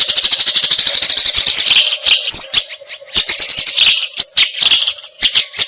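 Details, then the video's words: Eurasian tree sparrow chatter for training songbirds: a loud fast run of high chirps, then quieter, irregular single chirps and short bursts, a faint hum running throughout. "Suara Greja Taraung"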